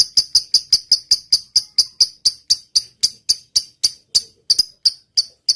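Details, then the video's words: Lovebird singing actively in the 'ngetik panjang' long typing style, a dry run of high ticking notes repeated several times a second, spacing widening near the end. "suara burung lovebird gacor.. ngetik panjang"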